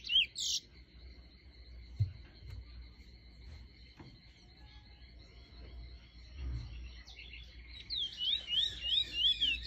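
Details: A Chestnut-bellied Seed-Finch (Trinidad bullfinch) tutor bird gives a quick run of high, sweeping warbled notes near the end, over a steady thin whistling tone and low background rumble.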